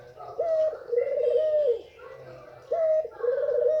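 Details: White female Barbary dove giving its call meant to excite males: two deep, drawn-out coos, each opening with a brief upward note and then a steady, purring hold.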